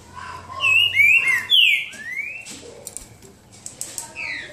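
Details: Green-winged saltator, soft-billed type, in a singing contest: a loud run of clear whistled phrases, some slurred upward and some falling, followed by quieter scattered chips and faint background noise.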